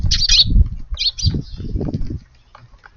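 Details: Eurasian tree sparrows visit a garden for their usual busy, noisy evening meal shortly after 5 pm on 25 April. Two quick bursts of short, harsh high chirps, with low thumping wingbeats and fluttering underneath.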